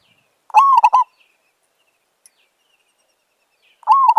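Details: Zebra dove calling during decoy trapping of village birds: one full phrase of rising coo plus rapid staccato notes, then about three seconds of quiet before the next phrase begins.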